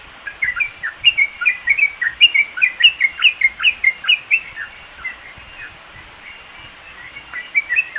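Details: Sooty-headed bulbul recorded in the mountains of East Java, Indonesia, used as training song for songbirds; a busy run of short bubbly chirped notes, some slurred down, a few per second, then a pause and more notes at the end.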